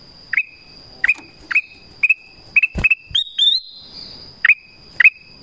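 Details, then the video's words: Black-crested bulbul call used to lure wild birds: short notes that dip then rise into brief steady whistles, repeated about every half second, plus a longer level whistle, a steady high tone and a sharp knock. "SUARA PANGGILAN KUTILANG EMAS"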